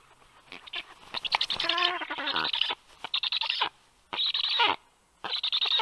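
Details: Black stork fledgling twittering at the nest after returning home on the afternoon of a 2022 day, while a nestmate grips its beak; bursts of harsh, rattling chatter with nasal harmonic notes, separated by short silences.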